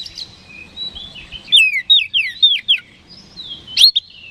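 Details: Vigorous kacer, the oriental magpie-robin, singing to goad rival birds into answering; faint high trilling, then a fast string of five loud slurred whistles, a pause and one sharp rising note.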